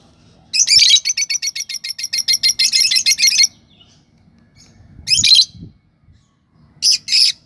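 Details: Lovebird chirping in a long fast series of high buzzy notes for about three seconds, then a harsh squawky chirp and a closing pair of short chirps.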